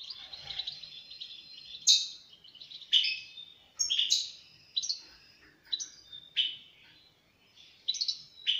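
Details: European goldfinch producing sharp, high chirps and short twitters roughly every second, separated by softer trilling, over low background noise.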